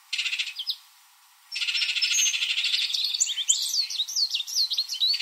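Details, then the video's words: Baltimore oriole in a backyard, drawn by grape jelly left out as food, gives a brief harsh rattle, a short pause, then a long buzzy chatter that breaks into varied quick whistled notes. "Baltimore Oriole Bird Call and Sounds"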